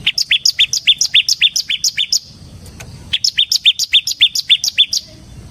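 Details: Vigorously singing ciblek semi, the Bar-winged prinia, recorded as a lure and tutor song: two fast trains of a dozen or more bright, clipped, high chirps, split by a short pause.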